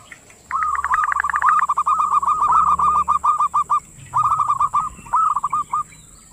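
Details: Zebra dove singing ngerot style: a long, rapid phrase of rolling, bubbling coos, then two shorter, similar phrases after brief pauses, with a soft low hum underneath.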